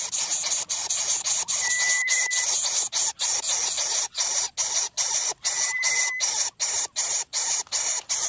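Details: Nest of three greedy Greater coucal chicks begging from their parent, which grows overwhelmed and angry: loud rasping hisses pulsing in rapid, fairly steady bursts, about two and a half per second, with a faint thin whistle twice.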